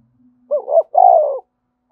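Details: A single loud spotted dove coo in the thúc bổi style: a short two-note lead-in followed by one longer, smooth, low hooting note that slides slightly downward.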